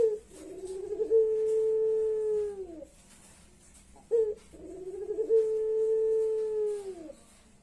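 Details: Two long, level, mournful coos from a puter pelung ringneck dove, each about two seconds and falling off at the end, with a brief clipped note between them, sounding like crying.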